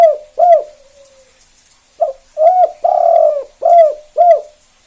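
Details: Calling Zebra dove used to prompt other doves to answer, delivering bursts of mellow, low arched coos, single and paired, with one longer sustained coo in the middle, separated by brief pauses.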